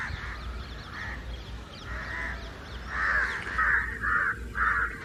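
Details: Several house crows, with jungle crows, give harsh, nasal caws, at first about once a second, then quicker and overlapping, calling loudly together against something for over an hour; a low rumble sits underneath.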